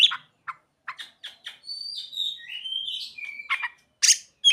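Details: Oriental magpie-robin song with mimicked phrases of other birds: opening short chirps and clicks, then drawn-out whistled notes gliding up and down, ending in loud harsh bursts.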